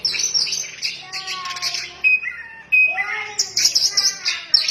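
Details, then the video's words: White-rumped shama in full song, mixing high rapid chirps with lower clear whistled notes that rise and fall, separated by brief pauses. "burung kacer ngefly gacor"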